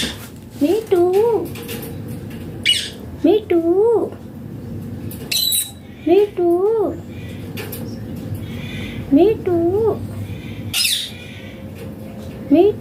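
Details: Pet Indian green ringneck (rose-ringed) parakeet talking, repeating a short, wavy two-part phrase like "me too" about every two to three seconds, with soft clicks and rustles between phrases.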